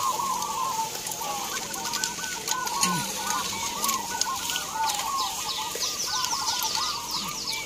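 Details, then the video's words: At a local zebra dove singing contest in Gunung Kidul, Yogyakarta, Indonesia, caged birds from many towns coo together in continuous rolling, looping phrases. Brief clicks and a faint low call sit underneath. "Lomba Perkutut Lokal Gantangan cemeraya jogjakarta"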